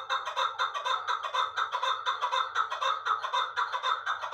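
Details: Loud rhythmic calling from an Uzbek chukar partridge, a captured bird of last year's brood now in Dushanbe: evenly spaced, raspy chuk notes about twice a second in a continuous rattling series.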